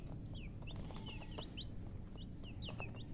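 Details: Baby chicks give high, quick peeps, several per second in loose groups, over heavy low background rumble.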